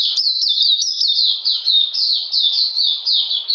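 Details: Short burst of Oriental magpie-robin song on a cold, rainy day, 13 June 2020: loud, sweet downslurred notes repeated in a regular rolling sequence, about three per second.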